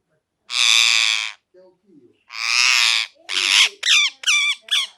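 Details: Parrot giving harsh, broadband screeching squawks: two long grating screams near the start, then a run of shorter rapid notes with wavering, bent tones toward the end, on a quiet background.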